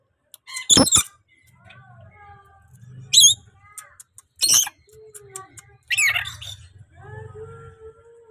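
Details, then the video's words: Very tame, chatty pet rainbow lorikeet giving loud, harsh screeching squawks in short bursts near 0.8, 3.2, 4.5 and 6 seconds, separated by quiet murmuring voices and soft low background hum. "BURUNG NURI PELANGI JINAK BANGET LUCU GACOR"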